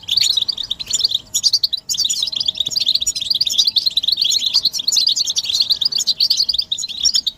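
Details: European goldfinches chirping together, a collective chatter meant to push a silent male into song; rapid high twitters and tinkling trills run almost without pause, dropping briefly near two seconds.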